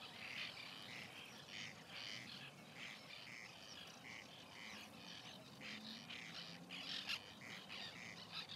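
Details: Chorus of white-winged terns at their nesting colony, 2021: short grating calls repeated rapidly by many birds at once, with a faint low hum beneath.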